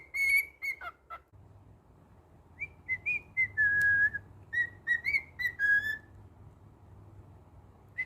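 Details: Male pet cockatiel whistles a few held high notes and short drops, then a slower sequence of gently wavering whistles before going quiet, low hum continuing underneath.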